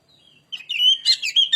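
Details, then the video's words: A short, loud excerpt of Oriental magpie-robin lure song: a soft thin whistle, then bright sliding whistles and a quick chattering flourish. "burung Kacer pancingan suara"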